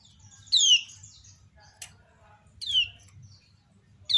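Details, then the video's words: Female common iora calling, with other ioras replying: a loud falling chirp, a sharp click, then a second chirp and the start of a third, over a soft low background murmur. "Ciak Betina Burung Kecial Kuning Memancing Bunyi Banyak Kecial lain Nyaut"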